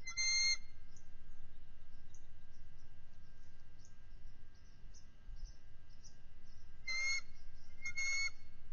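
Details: Bald eagles on alert at their nest on 18 February 2023 after an intruding adult eagle tried to land: three short, piercing, tonal calls with strong overtones, one near the start and two close together near the end, over steady hiss.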